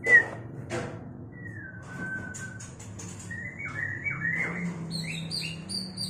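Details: White-rumped shama in a mating context: two sharp knocks, a long level whistle, then a run of short falling whistles and high thin chips, with a low hum throughout.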